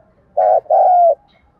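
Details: Single 'thúc gù' phrase from a spotted dove used as a trapping lure: a short buzzy coo followed at once by a longer, steady, slightly falling coo, both loud and close.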